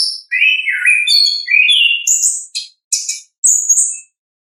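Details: Ngeplong song of an orange-headed thrush, a natural recording meant as a lure for birds slow to sing: descending slurred whistles, then clipped high notes and a piercing upward whistle, all in clean silence.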